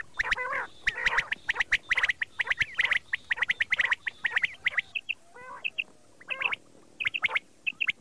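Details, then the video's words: Common quail, morning sound: a dense run of gargling, chattering notes, then sparser sharp, high calls in short bursts toward the end. "Common quail sound"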